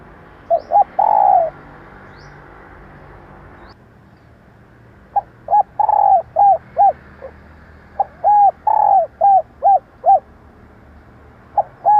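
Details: Female spotted dove luring males: one phrase of two short notes and a long coo, then after a pause a livelier run of short arched notes mixed with longer falling coos, about two and a half per second.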